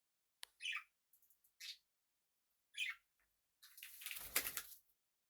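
A small parrot gives a few short, bright chirps, followed by a harsh, noisy rasping burst.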